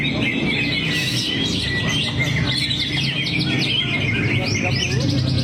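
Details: Greater green leafbird singing through its repertoire in a drooped-wing posture, with crisp rising and falling chirps, rapid trills and whistled notes, backed by low rumbling noise.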